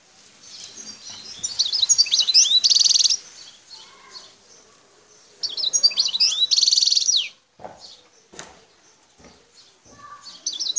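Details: Two song bursts from a wild Algerian goldfinch, El Tarf sector near Bouthelja, Algeria: each a tumble of high twittering slurs capped by a dense buzzy trill, separated by quieter twitters and a few faint clicks.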